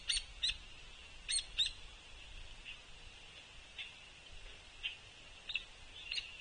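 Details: A juvenile Hairy Woodpecker on a suet feeder at Sapsucker Woods on 24 June 2023, early summer, begs its parent insistently for food: sharp, high chips in loose bursts of one to three over a faint steady hiss.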